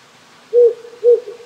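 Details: Two strong, level low hoots half a second apart from a wild owl that settled on a small hill near a Japanese country house this spring, calling at night over a faint flowing stream.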